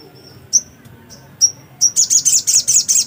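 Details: Black-capped white-eye in full song: thin, high, slightly descending whistles spaced about a second apart, then a quick run of loud, sharp twittering notes repeated about five times a second.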